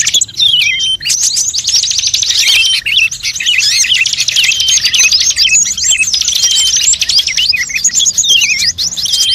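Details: Many birds twittering in a lure mix meant to pull in every type of bird: an intense, continuous wall of shrill chirps and trills with occasional downward-sliding whistles.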